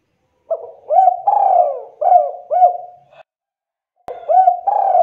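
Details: Spotted dove vocalising to prompt answers from other doves: a string of soft, throaty cooing phrases, each a short upswept note followed by a longer level coo, repeated with brief pauses and a restart after a one-second gap.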